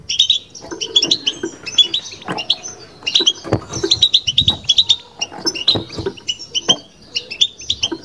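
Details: Kept European goldfinch in batbata song: lively high chirps, tinkling notes and brief trills in irregular bursts, with soft low knocks beneath.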